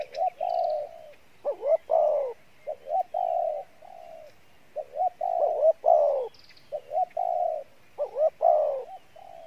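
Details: A spotted dove used as a decoy, with a good voice, coos steadily in the Pha Bài Lối manner. Rapid sequences of short notes, loud wavering bursts and long hollow tones follow one another almost without break.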